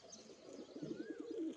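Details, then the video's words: Male fantail pigeon in display giving a run of short low coos, about six evenly spaced pulses ending in a drawn-out coo, while a thin rising-falling whistle and light background chirping are heard. "male fantail pigeon//fantail cooing//"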